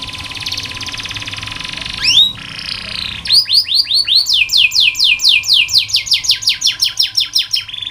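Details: Canary tutor recording to encourage reluctant singers: a buzzy rolling trill, a brief slurred whistle, then a long series of loud, rapid downswept notes repeated evenly, over a constant hum.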